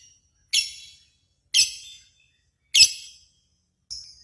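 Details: Lovebird calls from a contest simulation used as a lure for singing: four separate harsh, shrill chirps, each falling away quickly, spaced roughly one second apart.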